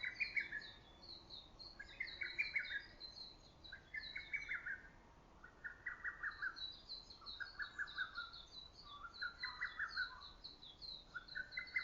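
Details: Lesser cuckoo calling in early summer woods, its loud voice echoing through valley and forest: six short whistled phrases, each a quick run of notes, repeated roughly every two seconds, over a higher, thin twittering song of another bird.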